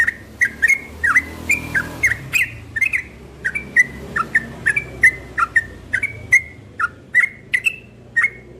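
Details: Trucukan ropel, a caged cream-vented bulbul set out in the morning air, delivers a long run of crisp, abrupt whistles, each slurred up or down, spaced evenly with faint background murmur.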